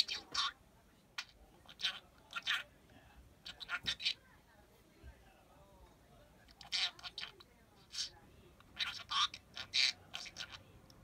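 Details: Parakeet at home babbling imitated words, sometimes joined into whole sentences without being taught; scattered shrill syllables, a quiet middle, then a busy run of squeaky words toward the end.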